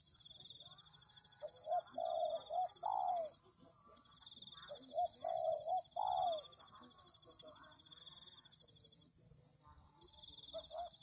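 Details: Spotted dove (tekukur) coos from a lure recording used to draw in doves. Two clear phrases each have short stuttered notes ending in a drawn-out falling coo, with quieter coos toward the end. A persistent high-pitched tone sounds throughout.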